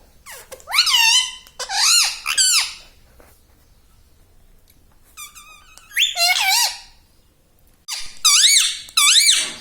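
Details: Talking pet parrot, chatting non-stop with words like "Mummy" and "Papa": bursts of bright, strongly harmonic rising-and-falling syllables separated by short silences.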